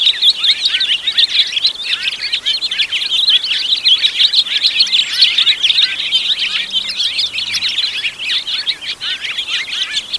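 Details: House finch singing a long, unbroken jumble of quick chirps, slurs and twittering warbles, high and lively, with the busy stream of notes running steadily for about ten seconds.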